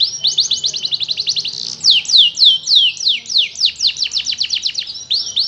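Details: Young canary learning to sing: a quick series of high chirps merges into loud, slurred downward-sweeping notes repeated about four times a second, then rapid chirps again, clear and close.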